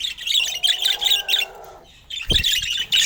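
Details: Budgerigars, said to be chirping happily, give bright rapid chirps over a steady low hum, then fall briefly quiet before a thump and renewed chatter.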